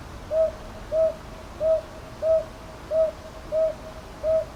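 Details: Seven even hoots of a northern boobook, paired hoo-hoo phrases repeating about every 1.3 seconds; recorded in Ichijoji, Sakyo Ward, Kyoto, on 22 May 2023 using a TASCAM DR-100MKIII.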